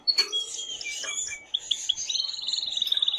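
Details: Male canary singing to stimulate a female to mate, a varied phrase of sharp whistles and short notes ending in a fast, even trill held for over a second.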